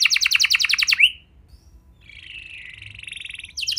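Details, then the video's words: Canary song meant to get other canaries singing: a fast buzzy trill ends on a rising whistle, then quiet, a soft steady buzzy trill, and another fast trill starting at the end. "Pancingan Burung Kenari Biar Gacor Lagi!"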